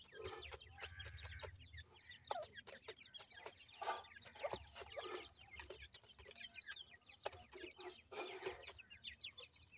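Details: Several grey francolin chicks calling: dense, overlapping high thin peeps and short chirps, rapid and continuous, mixed with clicks and soft knocking sounds throughout.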